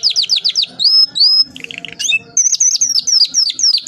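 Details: Canary singing a long rolling master song for training other canaries: rapid series of falling whistled notes, a sliding whistle, buzzy trill, then more quick repeated descending whistles; faint low background noise.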